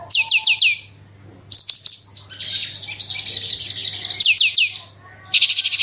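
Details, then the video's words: Branjangan (Horsfield's bush lark) singing in 'gacor super roll tembak' style as a lure for other birds: quick descending whistle series, a long buzzy warble, then a fast rattling trill. "BRANJANGAN ANDA KURANG GACOR PANCING SUARA INI PASTI LANGSUNG IKUT BERKICAU"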